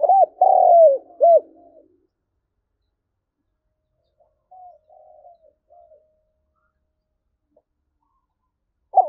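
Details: Spotted dove used as a decoy bird, 'thổ' voice style, calling to provoke wild doves for trapping: a quick burst of three low, mellow coos, the middle one drawn out, then softer trailing coos after a pause and a fresh coo at the end; quiet background.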